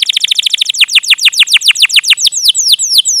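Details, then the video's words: Canary in strong song, a lure for young canaries learning to sing: quick repeated descending chirps in a continuous roll, spacing out steadily as the phrase goes on. "PANCINGAN Kenari GACOR PANJANG Cuit CUIT EMOSI ini AMPUH utk MASTERAN Kenari PAUD belajar BUNYI"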